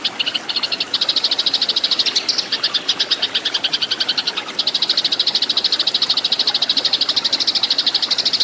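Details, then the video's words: Fighting Eurasian tree sparrows, recorded as tutor material for caged birds: dense, loud, rapid high chirping in long continuous runs, with a brief lull midway. "MASTERAN BURUNG GEREJA TARUNG"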